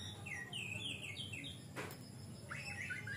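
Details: Oriental magpie-robin singing steadily as a lure for untrained birds: a quick series of falling whistled notes, a short noisy burst in the middle, then more rapid slurred notes, all over low background hum.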